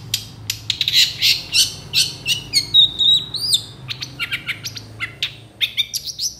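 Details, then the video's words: Long-tailed shrike singing a busy, mimicry-filled song: quick high chirps, clicks and a drawn-out whistled note near the middle, delivered in rapid uneven bursts. "MASTERAN CENDET FULL ISIAN"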